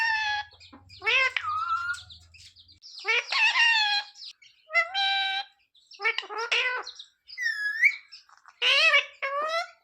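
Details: Household talking parrot asking to be given roti: loud harmonic speech-like phrases in several bursts with pauses, including upward-curving whistled notes and one high arched squeak; faint low hum early on.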